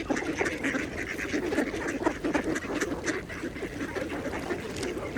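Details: A group of mallards quietly feeding at a pond keeps up rapid, low, murmuring quacks and soft chatter without pause, the notes crowding together over a gentle background of water.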